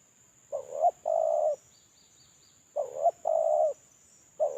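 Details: Lure-call cooing from a caged spotted dove during its moult: repeated phrases about two seconds apart, each a quavering short note then a sustained mellow coo; a faint high chirping trill is briefly audible, with a steady thin whine.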